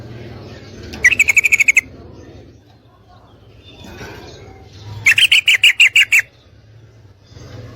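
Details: Female Sooty-headed Bulbul calling for a male to mate. There are two short bursts of quick, raspy repeated notes, about seven to nine each, separated by roughly three seconds of near silence.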